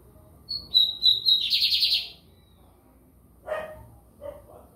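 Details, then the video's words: White-throated seedeater singing in São Luís, Maranhão, Brazil: a few high clear whistled notes lead into a fast buzzy rattling trill lasting about half a second; a dog barks twice afterwards. "BIGODINHO AMERICANO / 15 MINUTOS SÓ DE CANTO"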